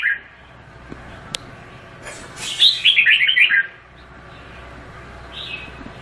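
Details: Red-whiskered bulbul delivering one loud run of quick descending whistled notes, with a sharp click beforehand and a soft whistle afterward.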